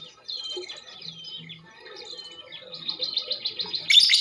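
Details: Calls of a female lovebird meant to trigger singing in other birds; drawn-out thin whistles lead into quickening repeated chirps that end in a loud, harsh squawk.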